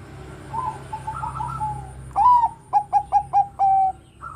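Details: Bangkok-type zebra dove whose song incites other doves: after faint far-off cooing, a loud rising coo, four short clipped notes and a sustained final note, then another dove beginning to call.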